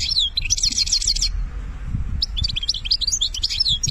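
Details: European goldfinch from Algeria in benna song style: a dense jangling trill of high chattering notes, a short gap, then a lively twittering phrase of sweet tinkling notes.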